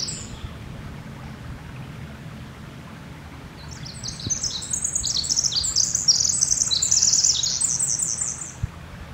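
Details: Pacific wren singing in Northern California: a long, rapid, high-pitched tumbling run of tinkling notes and trills, starting after a brief high note and building continuously over several seconds, over a low steady background rumble.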